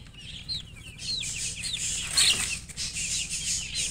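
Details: Just-hatched chicks peeping in falling, high notes for the first second and a half, then a broad rushing noise, possibly fluttering, covers the calls.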